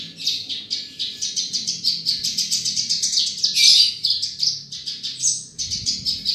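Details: Australasian bushlark (Mirafra javanica), a field bird known for its golden voice, pouring out a fast continuous chatter of high buzzy notes, loudest near the middle, with a soft background hum.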